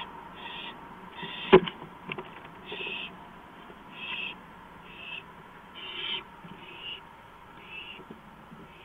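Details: Owl on a porch in the early hours of 5 April 2015; about nine raspy, breathy hisses repeated roughly every second, with one sharp knock near the start and a quiet, dark background.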